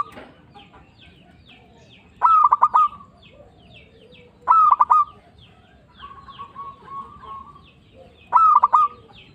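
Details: Local zebra dove, used as a trapping lure to provoke other doves: three phrases of quick clipped cooing notes with a steady trailing coo, spaced about three seconds apart, one softer coo between and faint chirps of other birds.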